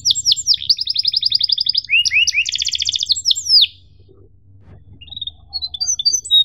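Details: Canary singing long 'gacor' cuit-cuit phrases, recorded as tutor song for young canaries: fast pulsed rolls and quick sweeping trills for over three seconds, then near silence with a few faint high notes, over a soft low hum.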